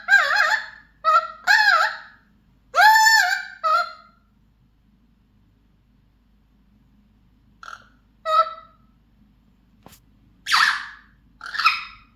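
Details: Mealy Amazon parrot, a pet, singing: a quick run of loud, wavering squawks and a rising warble, a quiet stretch with faint short notes, then two harsh, breathy calls near the end.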